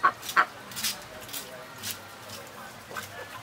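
Young mallards give two quick, reedy quacking notes at the start, then soft clicking and rustling dabbling sounds fill the rest.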